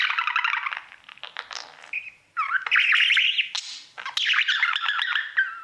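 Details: Pet budgerigar serenading its mirror with a fast, jumbled warble of wavering whistles and buzzy chirps, pausing briefly before resuming louder.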